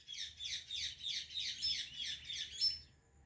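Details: A rose-ringed parakeet gives a fast run of harsh, high chirps, about eight in three seconds, with a faint low hum beneath.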